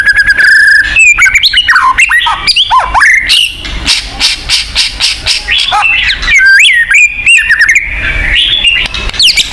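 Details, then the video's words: White-rumped shama song, one of a chosen set meant to stimulate caged birds at home to sing; rich fast medley of clear whistles, sharp upslurs, slurred notes and rattling phrases, loud throughout. "pancingan burung murai batu agar bunyi"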